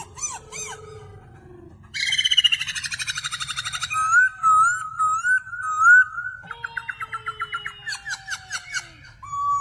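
A bird sings a varied song of rapid buzzy trills, a run of slurred whistles and quick repeated chips, with a low steady hum underneath.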